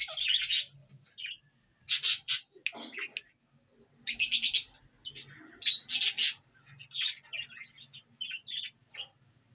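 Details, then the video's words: Indian ringneck parrot recorded in Punjab, Pakistan, making irregular bursts of rasping squawks and short chattering notes, some in quick clusters, with brief pauses and faint background hum. "Indian Ringneck Parrot Taking Natural Sound"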